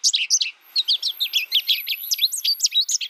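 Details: A brief, cheerful string of clear high twitters and chirps by an American goldfinch, evenly spaced and rapid, with a faint thin tone above.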